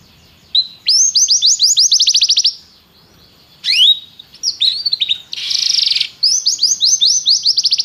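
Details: Canary song in phrases: a quick run of repeated rising notes, a short pause, scattered chirps, a harsh buzzy burst, then another rapid repeated trill.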